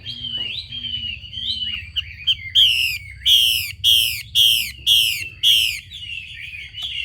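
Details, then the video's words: Soft, thin warbled notes come first. Then a female Chinese hwamei, calling to spur males into song, breaks into six strong, harsh, down-slurred notes at a steady pace of nearly two per second, over a constant low hum. "Tiếng chim mi mái xùy kích trống"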